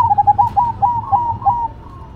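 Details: Duet of zebra doves, local versus cemani: a single fast phrase of clipped, hooting coos, each note a slight upward flick, easing off into a softer held tone after about a second and a half.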